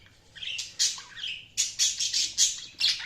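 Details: Budgerigar chirping, a fast string of shrill, grating squawks and short whistled slides, about two or three notes a second, bright and insistent throughout.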